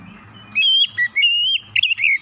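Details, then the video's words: White-rumped shama song used to trigger singing in other shamas: clear, drawn-out whistled notes with slight pitch bends, followed by a short flourish. "PANCINGAN KACER CEPAT EMOSI 100% KACER MACET MALAS BUNYI CEPAT GACOR"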